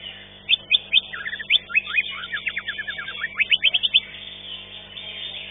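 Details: Competing green leafbird, winner of fifth place at a bird contest, sings a lively run of sharp whistled notes and quick slurs for about three and a half seconds, then falls quiet amid faint crowd noise.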